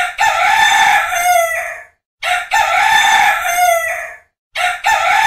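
A rooster gives two full, loud, harsh cock-a-doodle-doo crows, each nearly two seconds long, then begins a third. There are brief silences between them.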